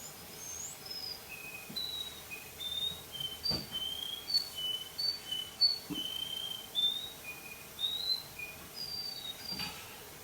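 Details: Young male Russian canary singing in the evening: soft, thin, high whistled notes and short sliding phrases, scattered unevenly over ten seconds, with a few faint clicks and a quiet background hiss.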